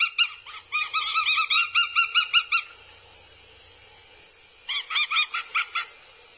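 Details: Goshawk chicks at a nest cam in Abernethy, Scotland, July 2022, behaving aggressively: bursts of sharp, nasal repeated cries, a fast run of about a dozen notes, a pause, then a shorter burst.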